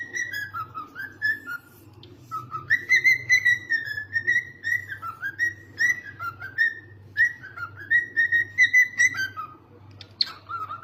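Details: Cockatiel whistled song, a string of clear tonal notes that swoop down and climb back up, delivered in quick rhythmic phrases with brief breaks, indoors with a faint low hum.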